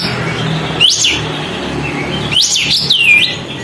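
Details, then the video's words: Sooty-headed bulbul singing busily with its tail spread, heard to provoke other birds: two bursts of bright, slurred whistles, the second a rising-then-dipping phrase of several notes, separated by a pause of over a second, over a low steady hum. "kapas tembak gacor buka ekor, untuk memancing emosi burung lain"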